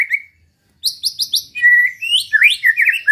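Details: Provoking song of a white-rumped shama: a short whistle, then four rapid high chips, a clear flat whistle and a quick run of rising and falling slurred notes.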